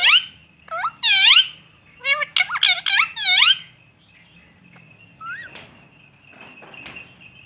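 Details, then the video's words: Parrot mimicking speech, saying "I love you" and "good morning" in bursts of harmonic, voice-like phrases over about three and a half seconds, followed by quieter clicks and rustling. "Parrot says I love you and good morning"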